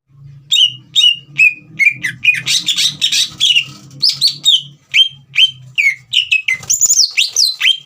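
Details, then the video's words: Green leafbird in full song, played to provoke a young bird into singing: rapid string of clear whistled notes sliding down around mid-high pitch, mixed with buzzy bursts, some two notes per second; faint low hum beneath. "CUCAK IJO GACOR INI SPONTAN MEMANCING EMOSI CUCAK IJO BAHAN TROTOL AGAR GACOR"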